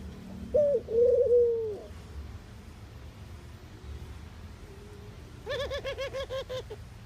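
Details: Mourning dove giving a short rising note followed by a long, low, soft coo that slowly falls; later a rapid run of harsher, wavering notes is heard over a faint background rumble.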